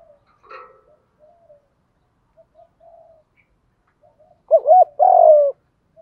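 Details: Caged decoy spotted dove calling to lure wild birds. Faint scattered clicks and soft murmurs give way to a single loud two-part coo near the end: a quivering short note, then a longer, fuller one.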